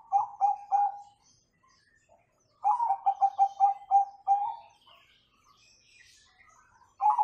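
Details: Perkutut or zebra dove, Bangkok or local type, in a gacor "nggayer" song played to train young birds; bursts of quick rolling coos, a short run, a longer series of about eight notes, then another starting.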